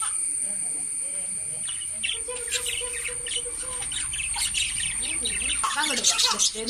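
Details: Several lovebirds keep up busy, shrill chirping in quick irregular bursts that grow louder and denser toward the end, over a steady high hiss and a brief held mid-pitched tone partway through.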